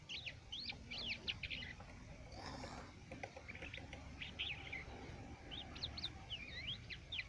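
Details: Crested lark in Quetta singing a busy, rapid stream of sharp rising and falling whistled notes in bursts, a pause in the middle, then another quick jumbled burst; steady outdoor background noise.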